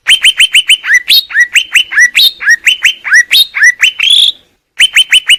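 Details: Greater green leafbird song: rapid series of bright, sharply downslurred chirps, clustered and repeated several times a second, mixed with higher squeaky twitters, then a brief pause before more chirps.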